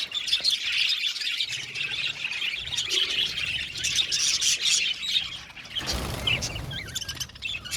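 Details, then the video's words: Constant high twittering and chirping from many budgies, with brief squawks mixed in and a short burst of broadband rustling or flapping near the end. "Beautiful budgies singing sound | budgies chirping sound"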